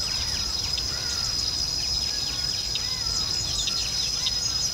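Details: Male southern red bishop in breeding plumage, Vryheid, South Africa, 2 December 2011: quick high chirps and short sizzling notes scattered through the clip over a steady shrill insect-like drone and low rumble.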